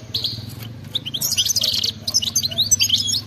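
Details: Wild-type European goldfinch singing a fast, excited twittering song with rapid chattering trills and tinkling notes in bursts, delivered without any warm-up; a faint low hum runs underneath.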